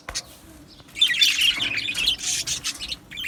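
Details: Australian budgerigar colony in an aviary, recorded 12 July 2025: after a near-quiet first second, dense high chattering chirps and squawks from many budgies overlap continuously.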